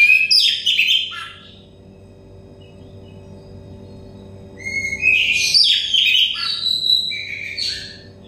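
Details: Stressed, untrained Oriental magpie-robin singing, recorded as therapy to make it sing fast and loud: two bursts of warbled, chattering whistles separated by a quiet gap, over a faint hum.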